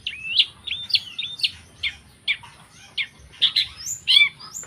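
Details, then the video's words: Long-tailed shrike singing a mix of level whistles and down-slurred notes, followed by scattered harsher chips and a few rising squeaky notes, with uneven pauses. "burung cendet"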